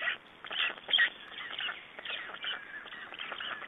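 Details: Black stork nest in Estonia, 3 June 2011, with birds exchanging at the nest and feeding; dense, scratchy rasping calls run almost continuously, loudest near the start.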